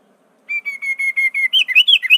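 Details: Sooty-headed bulbul (kutilang) song described as filled with phrases of prinia, greater green leafbird, straw-headed bulbul and magpie-robin; a loud run of eight even, clear whistled notes, then quicker rising and falling warbled phrases, in a quiet background.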